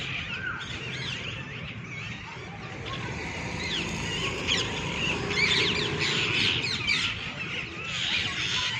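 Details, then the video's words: Several green parrots with red beaks perched together at the top of a tree in the evening, giving busy overlapping chirps and squawks, rapid and irregular, with a low background rumble. "Sweet chirping sound of Parrots"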